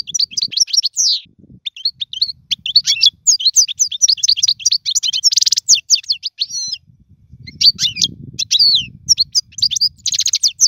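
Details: Goldfinch tutor song for young birds: rapid chattering notes, a short buzzy burst near the middle, a looping whistle, then more twittering over a faint low rumble.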